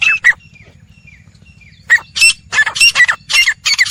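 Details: Wild grey francolin (teetar), one of four wild birds calling: harsh, squawky bursts, a pair at the start, then a brief quiet with faint notes, then a rapid run of loud grating notes.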